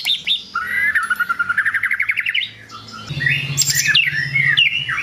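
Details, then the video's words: White-rumped shama singing to provoke rival birds: a loud, varied song with a rapid rising trill of repeated notes, then sweeping whistles and high sharp phrases, with a low steady hum beneath. "Kicauan Murai Batu Yang Bikin Emosi Lawan"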